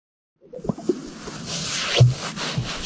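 Greater sage-grouse giving low, hollow plopping pops with soft swishing sounds, a few pops spaced irregularly over a steady hiss.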